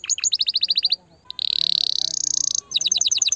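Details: Canary song to stimulate the female: a run of quick chopped notes, a brief pause, a long buzzy rolling trill, then fast chirping notes again.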